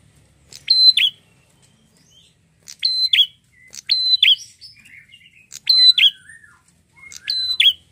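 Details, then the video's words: Prinia described as red-headed, in full vigorous song: five loud, sharp, ringing double-note phrases about every 1.5 seconds, with faint softer twittering between them. "prenjak gacor"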